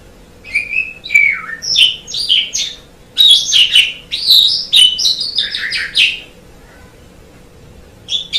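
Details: Javan pied starling singing a lively medley of whistled, squeaky and harsh chattering notes for about five seconds, then a pause and one brief final note.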